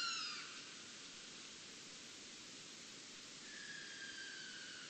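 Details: Sooty owl recorded by an automated recorder in Tippy Gully, Ada Forest, Victorian Central Highlands, beside an active logging coupe, around 7 March 2014 (140307): two long, high whistles sliding steadily downward like a falling-bomb whistle, over a constant loud hiss.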